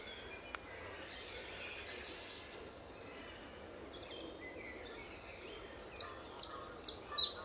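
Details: March 2014 chiffchaff near Standalone Farm, Letchworth, early morning: six seconds of distant mixed birdsong and a single click, then four loud, high, falling notes in quick succession at the end.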